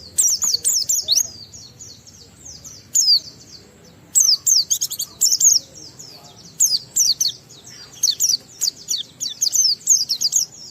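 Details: Oriental white-eye singing hard in the ngalas style, with riwikan fills, to stir other white-eyes into song: bursts of very high, thin, fast descending chirps and twitters, separated by short pauses, with faint background hiss.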